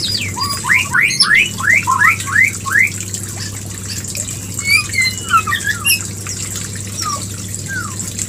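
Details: White-rumped shama mating call used as a lure: a run of rising upslurred whistles repeated about three per second, then scattered higher whistled and falling notes over a low hum.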